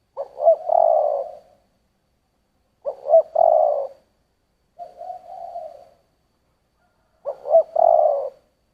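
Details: Spotted dove cooing in the giọng thổ song style. Three loud three-part phrases of two clipped notes and a long throaty coo come about every three seconds, with a softer level coo between them. The setting is otherwise silent.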